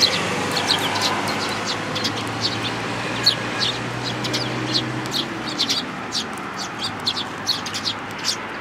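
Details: Sparrows visiting a feeder in a plum tree at a Tenmangu shrine on 21 June 2022, with a newly arrived fledgling among them; many short, sharp chirps scattered over a steady low hum.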